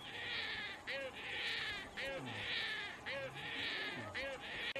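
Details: A juvenile painted stork nags its mother. It gives harsh, rasping, hissy calls in long bursts, repeated about once a second. Short tonal whistled notes fall between the bursts.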